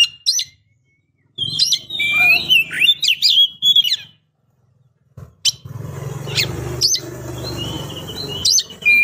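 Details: Female Oriental magpie-robin calling the male to rouse, encourage song or solicit mating: whistled, warbling phrases and sharp chirps over a steady low rumbling background noise in the second half.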